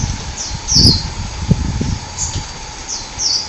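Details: Forest sunbird calling in the wild: shrill, quick descending chirps repeated several times, alongside low rustling and soft thumps nearby and a constant faint background hum.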